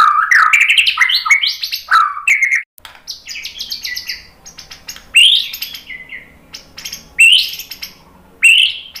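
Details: Lure song of a White-rumped shama: a quick tumbling series of rising whistled notes, then scattered sharp chirps and buzzy notes between loud bursts of whistled phrases spaced a few seconds apart.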